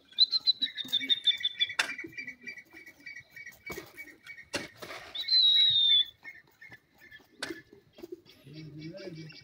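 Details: Francolin, Irani or gora teetar, calling in breeding season: drawn-out whistled notes over a steady lower whistled tone, with a loud sliding whistle midway and sharp knocks between.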